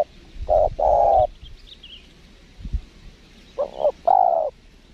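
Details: Spotted dove at a windy lure-trapping spot gives two cooing phrases: a short note and a longer coo, a pause with a soft thump, then a stuttered double note and a drawn-out mellow coo, with faint distant chirps.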